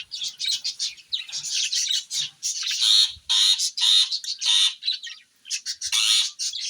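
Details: Pet parrots calling: a dense run of harsh, raspy squawks and chattering bursts, closely packed with short gaps, some with a thin whistled edge, continuing through the whole stretch.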